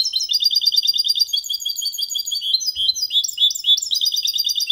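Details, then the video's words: Clean goldfinch × canary hybrid song, copia malaga style, used to stimulate females and tutor young goldfinches and hybrids. Rapid high twittering runs nonstop, with rolling trills and buzzy chirps, several notes per second, and no other sounds. "Mixto de Jilguero Cantando Limpio sin errores (copia malaga) Hybrid de Chardonneret chantant propre"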